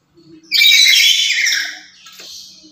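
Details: A single drawn-out, harsh screech of about one and a half seconds from a noisy, active lory kept to lure other lories. It fades into a quieter rasp.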